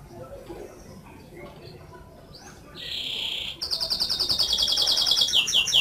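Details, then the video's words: Canary starting to sing after quiet background: a short buzzy rolling phrase, then a sustained run of rapid repeated high trilled notes. "Beautiful whistling of canary"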